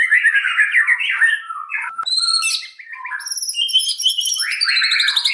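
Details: Varied song of a white-rumped shama: mid-pitched warbled phrases give way to sharp high notes and rapid chattering trills, a lively sequence of changing motifs without pause.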